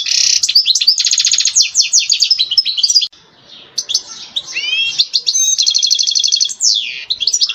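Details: European goldfinch singing its mating song to stimulate a female ready to breed: dense liquid trills, a short pause, then swooping slurred notes and another fast rattling trill ending in a downward glide.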